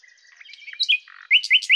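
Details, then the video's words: Common nightingale phrase: soft scratchy twittering and a few whistles building to a loud series of four rapid rising whistled notes at the end. "Common_Nightingale (Luscinia megarhynchos)"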